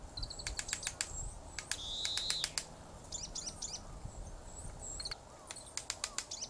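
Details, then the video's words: A Japanese pygmy woodpecker drums in short, irregular bursts of sharp, dry taps, mixed with thin, squeaky high calls, with song near the end, in Tataranuma Park, Tatebayashi, Gunma, Japan, on 16 February 2016. "KOGERA Druming"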